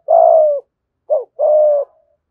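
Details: Spotted dove coo used to lure wild birds: a long steady coo, a short clipped note, then a second long level coo, clean with no background.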